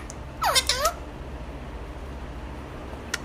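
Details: Alexandrine parakeet talking: one short, squeaky phrase of bending, wavering syllables, followed by a quiet stretch with low background hum and a faint final tick.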